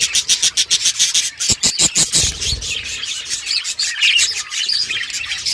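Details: Budgies playing with each other, a dense high chirping chatter of rapid pulsed notes, several birds calling together, with a few soft low thumps.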